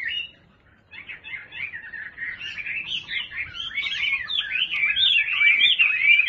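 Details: Chinese hwamei kept by a bird keeper pours out a dense, rapid warbling song of looping whistled notes that grows louder toward the end, with a few sharper clear whistles near the close.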